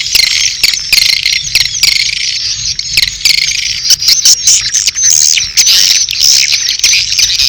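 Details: Swiftlets calling in courtship together with chicks, a swiftlet-house lure sound. Constant high, hissing chatter with thin whistled notes and sharp clicking bursts.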